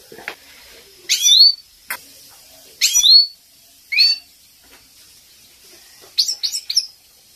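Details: Training recording of a captive European goldfinch, female calls meant to make males sing: buzzy rising slurred notes roughly every second, closing with a quick cluster of high twitters.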